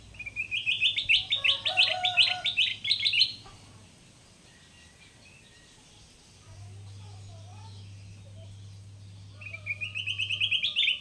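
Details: Sooty-headed bulbul, caught wild and kept caged, singing loudly and steadily: a fast rattling string of bright chirps, a quiet pause with a low hum, then the chirping series starts again.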